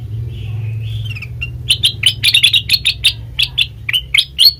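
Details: Lure call of a sooty-headed bulbul, played to make other birds reply: a soft slurred whistle opens, followed by a steady train of sharp, evenly spaced chips, about four per second.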